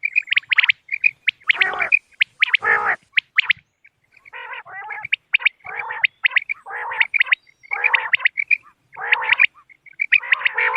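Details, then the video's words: Common quail giving bright, clipped whistled notes in quick groups, mixed with harsher, buzzy nasal bursts, several per second, with short pauses between phrases; quail call used for hunting on moonlit nights. "بٹیر کی آواز چاندنی رات کیلئے quail bird sounds for hunting common quail bird bater"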